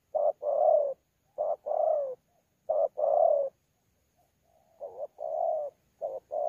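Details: Spotted dove, a wild-caught bird in thổ pha voice, Sa Thầy, 26 November 2019, delivering challenge coos mixed with bowing coos. Three short-then-long coo pairs come in steady succession, then a softer rising note and two more phrases.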